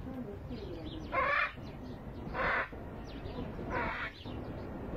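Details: Playful hyacinth macaws give three loud, harsh, grating screeches spaced about a second apart, each lasting under half a second, over soft background twittering from small birds and a low steady hum.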